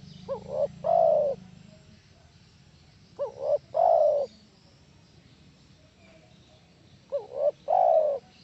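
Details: Spotted dove lure calling to provoke answers from other doves: three phrases at irregular gaps of three to four seconds, each two quick notes and a long mellow coo; low hum early on.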